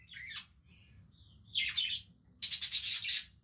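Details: Playing budgies produce a buzzy warble, a short thin whistle, a rough squawk, then a fast rattling run of harsh, high chirps, all over faint low hum.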